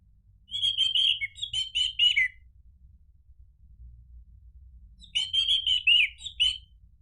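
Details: Orange-headed thrush (anis merah) delivers two fast, chattering phrases of rapid repeated warbled notes, each about two seconds long, separated by a pause, with a low hum beneath.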